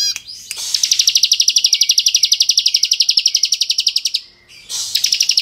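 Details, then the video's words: High, even trill from a 'kristal' bar-winged prinia, sung in the continuous 'ngebren' style meant to rouse other prinias: rapid pulsed notes held steadily for about three and a half seconds, a brief pause, then the trill resumes. "Masteran Ciblek Gacor Full Ngebren Variasi Cocok Untuk Memancing Emosi Ciblek Bahan"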